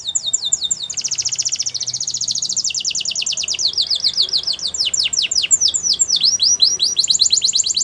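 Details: Canary training song: rapid repeated tours of high sweeping whistled notes, each phrase a fast trill that shifts to a new note shape every second or two, bright and continuous.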